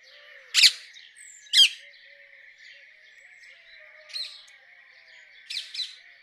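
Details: Rose-ringed parakeet uttering scattered sharp, raspy squawks, two loud ones a second apart then quieter single and double notes, over a steady high hiss.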